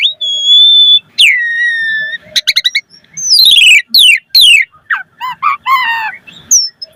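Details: Asian pied starling singing persistently, used as a lure to make other starlings answer quickly: a long steady whistle, then a lower drawn whistle, a burst of rapid clicks, and several loud, harsh, falling sweeps with short chattering notes.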